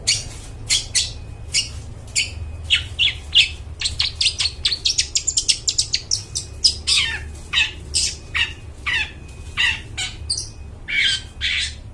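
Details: Long-tailed shrike in full, clear song, meant to lure birds in the forest: long rapid series of harsh, scratchy notes mixed with short whistled slurs, quickening in the middle, then slowing into spaced phrases.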